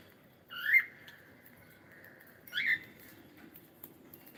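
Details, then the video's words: Pet cockatiel singing: two clear whistled notes two seconds apart, each opening with a quick upward sweep and then held level for a moment, over a quiet indoor background. "cute Cockatiel singing"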